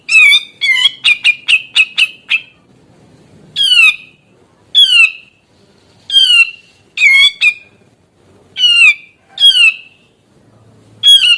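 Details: Energetic grey-cheeked bulbul whose song is said to stress rivals and set young birds calling: a fast stutter of short harsh notes, then a string of loud, buzzy, downslurred squawks roughly one per second.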